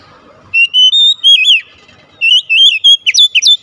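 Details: Oriental magpie-robin singing as a lure to draw a response from a captive bird: a run of bright, sustained whistles with sliding, twisting notes, a short pause, then faster varied whistled phrases and sharp swoops.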